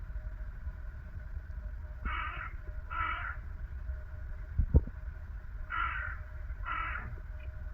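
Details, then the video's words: Hooded crow in a backyard in Dublin, among its varied vocalizations: four hoarse caws in two pairs about a second apart, over steady low traffic rumble and a brief knock. "Hooded Crow Making Strange Sounds | More Than Just a “Caw”"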